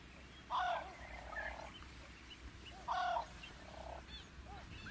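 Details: Wild fork-tailed drongo in Africa, uttering two loud, harsh, nasal grating notes about two and a half seconds apart, each with softer rasping trailing notes, while faint thin chirps and a low rural hum sit behind.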